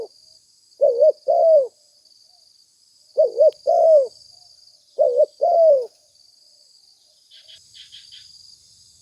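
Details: Spotted dove lure call: three well-spaced phrases of a wavering double coo sliding into a falling croo, followed by a quiet gap and a few faint high chirps over a constant thin whine.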